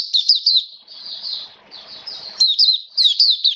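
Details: Caged Oriental white-eye singing on 29 September 2022 in rainy weather: sharp high twittering notes, a murmured soft warbling stretch, then renewed quick bright chirps.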